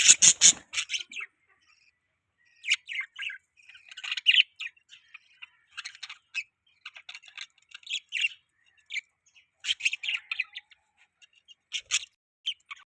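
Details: Budgies give scattered short chirps and soft chattering notes, with a loud harsh burst at the start and quiet gaps between calls.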